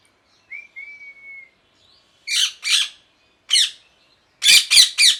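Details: Parrot calling at home: a thin drawn-out whistle, then harsh broadband squawks, two, one, and a rapid triple burst near the end.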